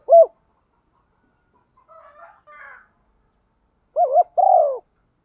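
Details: Female spotted dove calling for males: an isolated short coo, faint distant chatter, then a pair of low coos, the second longer and falling.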